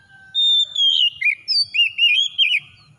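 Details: Oriental magpie-robin lure singing aimed at getting a reluctant bird to join in. A clean held whistle bends down, then six or seven quick wavering whistled notes bounce up and down.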